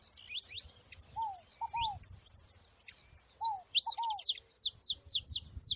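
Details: Several saffron finches in nature sing busy, high-pitched chirping phrases that end in a run of sharp rising notes, while a lower two-note whistle sounds twice in the background.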